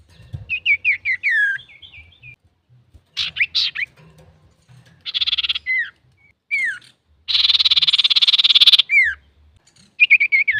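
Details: Male common iora singing to provoke other birds: mixed whistled phrases, harsh chattering bursts and a long rapid rattling buzz, with short downslurred whistles between.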